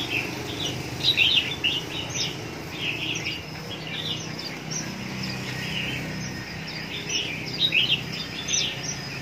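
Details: A red-whiskered bulbul from Hoa Binh, Vietnam, sings short, bright, warbling phrases in bursts every second or two, with a faint background hum.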